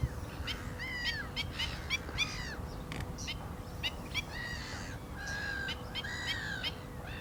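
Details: Calling black-winged stilts: repeated nasal, downslurred yelps mixed with sharp clicking notes in quick succession, a short gap, then another burst of overlapping harsh calls, with background hiss.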